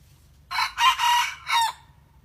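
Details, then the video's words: Red junglefowl decoy bird practising crowing to draw in wild junglefowl, giving one loud, rough crow in four connected segments, the last one separate and falling away. "เสียงไก่ต่อไก่ป่า หัดขัน"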